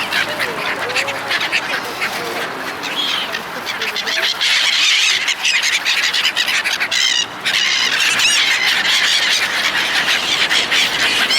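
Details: Seagulls crowding in while people feed them, a dense chorus of harsh overlapping squawks and mewing cries that barely pauses, with a brief lull near the middle.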